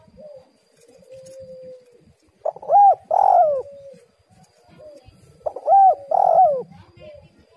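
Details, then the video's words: Spotted dove female call used as a lure: two phrases, each a short soft coo followed by loud hollow rising-then-falling coos, repeated about every three seconds, with quieter cooing between. "tekukur super gacor suara pancingan betina"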